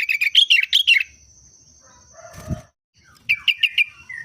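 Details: Sooty-headed bulbul with a Trucuk-like everyday song: a burst of loud, bubbly warbled notes, a rustling thump, then another string of quick chirps, over a faint steady high whine.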